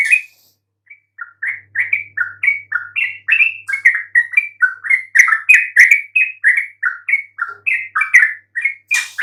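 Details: Yellow-vented bulbul lure chirping aimed at making silent birds reply: a soft opening note, then a long, steady, fast chatter of bright chirps, several each second, ending in a rough burst.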